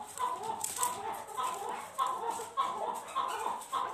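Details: A chukar partridge during a fight calls in clipped, repeated chuck notes, roughly two per second, fairly regular and of even pitch, with some scratchy noise mixed in.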